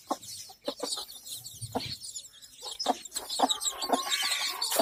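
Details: Mother hen with her chicks: short clucks and thin high peeps come in quick bursts, roughly two a second, over a busy, noisy background.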